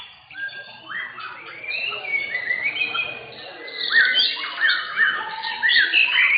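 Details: White-rumped shama singing at a contest in Indonesia, the class winner: varied whistled phrases, rising and falling slurs, growing louder with rapid overlapping notes toward the end.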